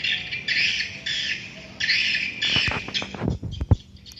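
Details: Swiftlets calling at a swiftlet house, rasping high chirps in repeated bursts of about half a second, followed by low knocking thumps.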